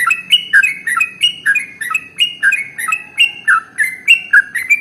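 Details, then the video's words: Sooty-headed bulbul (trucukan) singing a very long, rapid ropel-style song used to spur other birds to sing: a fast run of short notes, each a sharp click sliding into a bright, slurred whistle, about four per second. "SUARA Trucukan ropel SUPER PANJANG paling AMPUH untuk PANCINGAN burung gacor"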